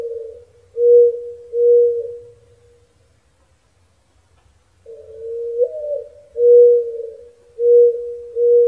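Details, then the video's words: Mourning dove giving soft, low, hollow coos: a drawn-out rising note followed by three steady, even hoots, with a pause between phrases. "Mourning Dove Sound"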